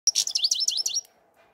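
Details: European goldfinch song: a brief burst of rapid, high twittering notes with quick sliding tinkles, lasting about one second before falling silent.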